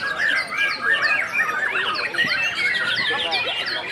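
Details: White-rumped shama singing during a singing contest: a rapid run of varied whistled and chattering phrases, with sweeping rising and falling notes and quick trills packed tightly together. Other birds may be singing at the same time.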